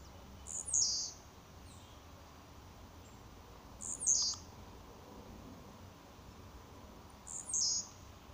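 A blue-black grassquit gives three short, very high, buzzy slurred phrases about every three and a half seconds, over a low background hiss.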